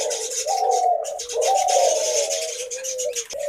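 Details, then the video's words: A captive male Eurasian collared dove, tangerine colour, paired with a female, gives low, hollow cooing notes, a long drawn middle syllable between shorter ones, over steady hiss indoors. "Eurasian Collar Dove male Cooing Sound"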